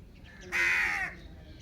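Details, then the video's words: A single loud, harsh screech from an Indian ringneck parakeet, broad and grating, held for about half a second against a quiet background. "Beautiful parrot Natural sounds Indian ringneck parrot parakeet mithu video"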